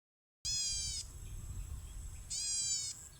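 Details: An unidentified bird, described as singing very actively, gives two nasal, harmonic-rich notes of about half a second each, nearly two seconds apart, over a steady low rumble.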